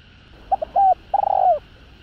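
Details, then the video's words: Spotted dove calling to provoke rival males: two clipped hoots, a falling note, then a long pulsing coo that bends down at the end, with faint steady background hum. "Tiếng Cu Gáy Giọng Hạp BổI Đủ Bài [ GÁY GỌI + THÚC + GÙ ] Kích Bổi Nhanh Nổi"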